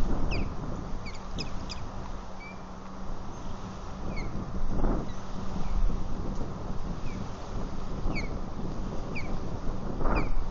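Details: Female osprey at her nest at Lake Murray on 3 March 2020, early afternoon, alerting as other ospreys fly overhead. Nest camera. Short, sharp, high chirps repeat at uneven intervals over a heavy low wind rumble.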